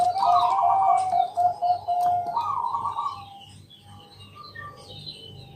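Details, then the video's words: Zebra dove of the Bangkok type singing at night as a lure; fast trilled coos and a long level fluty note in the first half, then fading to distant soft calls over a faint hum. "Pancingan malam hari Perkutut Bangkok..Suara Penghilang Stress Burung Perkutut"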